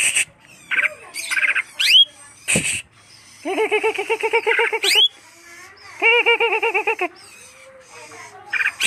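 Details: Song of a greater green leafbird: a few rising whistled notes and a loud click, then two long runs of fast, evenly repeated nasal chattering notes separated by a short gap.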